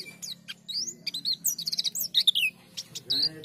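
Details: High, excited twittering from an Oriental white-eye, sung to provoke replies from other white-eyes: dense clusters of sharp chirps and looping whistled notes, tumbling in quick succession over a low background drone.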